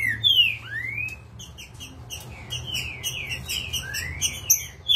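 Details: Agitated green-winged saltator in full form: long slurred whistles sweeping up and down, followed by a busy run of short high chirps and buzzy notes, with low hum beneath.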